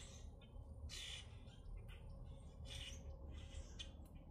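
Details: Grackles in Minnesota giving loud, rasping squawks, about four bursts in four seconds, backed by a low hum and a faint steady tone.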